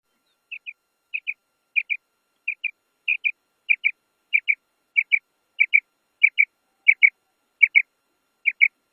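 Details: A female common quail recorded in the wild gives a steady run of quick, high paired notes, a double chip about every two-thirds of a second, against a quiet background; used to call male quail.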